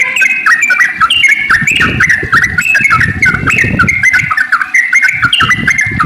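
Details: Sooty-headed bulbul 'ropel panjang' song, played to prompt other bulbuls to sing: a continuous, busy stream of bubbly whistled notes that jump up and down, rapid and chattering throughout, with faint low background noise.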